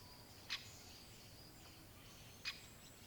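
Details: Great spotted woodpecker uttering two short, piercing 'kik' calls about two seconds apart against faint distant birdsong and a soft background hum.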